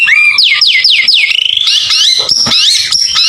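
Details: White-rumped shama in vigorous song used to lure other birds; loud repeated downward-then-upward whistled sweeps, followed by a rapid rattling trill and bright high whistles.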